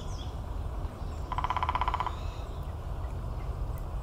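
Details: Downy Woodpecker drums one quick, even roll lasting under a second, a rapid wooden rattle over a steady low rumble of wind or distant traffic; classic pattern of about 20 beats, repeated after a short delay.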